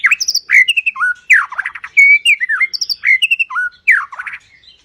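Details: White-rumped shama in full rough song, played all day for training other birds: rapid bursts of sweet whistles, sharp high chips and buzzy rattling notes repeated in quick varied phrases, with no other sounds.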